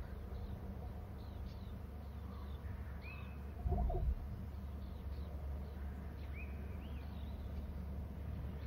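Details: Bald eagles soaring high in the early afternoon, both birds calling: faint, thin, high chirps and short upslurred piping notes in loose series, over a steady low rumble of background noise.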